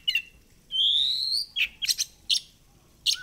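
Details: Oriental magpie-robin song played as a lure to prompt tail fanning: a long, clear, rising whistle, then a cluster of sharp high chips and a short low whistle at the close, in a quiet setting.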